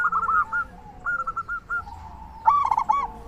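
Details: Local zebra dove in full song as a calling lure: a short run of rattling coos, a pause with a steady tone, then one loud, rich, rolling phrase near the end.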